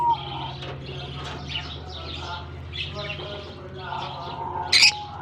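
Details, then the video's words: Lovebirds in a German colony aviary at the start of summer, chirping steadily; scattered thin high chirps and chatter, ending in a brief loud harsh squawk, over a low droning hum. "Japan lovebirds release in colony season off come to summer 🌞 off season bird good chirping sound"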